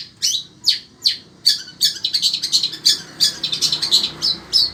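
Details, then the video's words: Caged sembur-type shrike from Indonesia, kept for song contests, singing hard despite scorching heat: loud, sharp, high chirping notes repeated roughly every third of a second, speeding into clustered rapid bursts midway, with little background noise. "Burung Cendet INI TETAP MELOCOR DOR"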